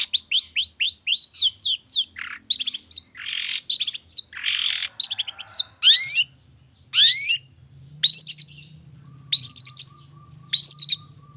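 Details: Morning lure recording of a long-tailed shrike for prompting shrikes to sing: rapid downslurred whistles and harsh scratchy bursts, later clear sweeping notes repeated about once a second over a low hum.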